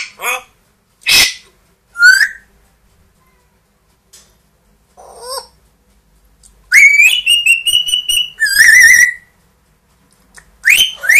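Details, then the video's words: Household grey parrot, aged two, and Amazon parrot, aged one, mimicking noises: scattered short whistles and clicks, then a run of harsh, rapidly repeated wavering calls and a loud buzzy squawk, ending with sharp high notes. "quelques mot et bruitage des perroquets"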